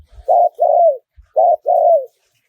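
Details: Spotted dove call in the wild style with a small voice, for luring wild doves: two paired phrases, a short hollow coo then a longer croo sliding downward, with faint low bumps.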